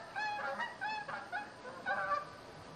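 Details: Canada geese at Lac Goulet honking: several nasal, two-note honks overlapping in quick succession from more than one bird, with a faint background hiss.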